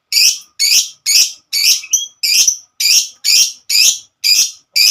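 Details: Lovebird giving its long chattering song, called ngekek. Harsh, high, scratchy chirps repeat steadily about twice a second, with one brief whistled note in the middle. There is silence between the notes.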